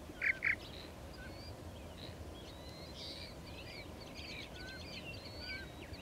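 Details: Purple martins at a nesting colony: two loud, harsh chirps open, then many birds keep up overlapping gurgling chatter and short whistled twitters and slurs, over a steady low rumble of background noise.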